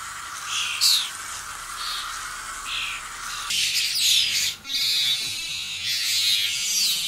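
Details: Young common starlings in a garden give harsh, grating squawks and scratchy calls, steady and overlapping, with a louder burst about halfway through.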